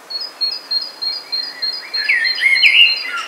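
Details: A rich, fluty blackbird phrase warbles up near the end. It follows a run of evenly spaced, thin high chirps from another bird, which repeat about three times a second.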